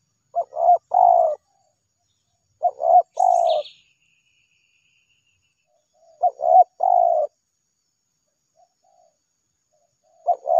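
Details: Spotted dove calling nonstop while responding to a lure; steady series of three-part coo phrases roughly every three seconds, each two clipped notes and a long falling coo, with a single high chirp from another bird.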